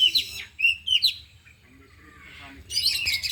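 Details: Oriental magpie-robin during an afternoon training session with four birds: a few clear whistled notes and quick upward slurs, then a quiet pause, ending in a loud scratchy burst of song; low background hum.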